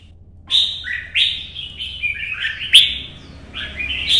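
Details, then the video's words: Red-whiskered bulbul (chào mào) singing a competition-style 'chạy cầu' solo in morning sun: after a short pause, bright descending and rising whistled phrases follow one another quickly, one sharp click midway. "CHÀO MÀO | Nắng sớm solo chạy cầu hót đấu"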